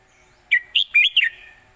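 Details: Red-whiskered bulbul singing a crisp four-note warbled phrase, quick and bright with rising and falling notes, part of an old southern Thai song used to teach young birds.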